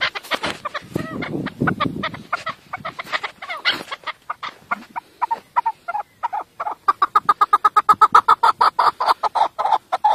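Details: Chukar partridge calling: a long series of short harsh chuck notes, ragged at first with noisy bursts, then settling into a steady quickening rhythm of clipped notes.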